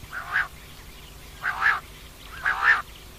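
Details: Female common quail calling steadily: three husky two-part notes about one per second, each louder in its second half, over a soft low hum.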